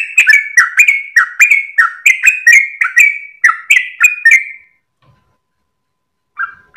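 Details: Dawn song of a sooty-headed bulbul, long ropel style meant for tutoring caged birds: a fast chain of slurred whistles, roughly three to four a second, stopping abruptly, then one brief note near the end.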